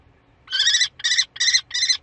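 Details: Common kestrel on 15 May in spring, giving four harsh, rasping notes in quick succession, each about a third of a second long and evenly spaced.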